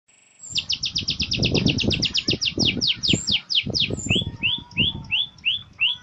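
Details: Beujeg bird with a canary-like song: a rapid run of high downslurred notes, slowing into spaced upswept whistles, over low rumbling background noise.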